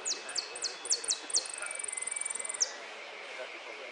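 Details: A yellow European goldfinch, a repique-category champion at the Copa Federación on 3 March 2013, sings high, thin downward-sweeping notes, then a rapid ringing trill lasting about a second, over faint background hiss.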